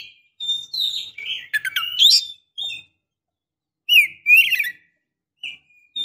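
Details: Calls of a breeding female white-rumped shama summoning a male: brief clusters of squeaky, slurred whistles and harsh chips, spaced by pauses of about a second.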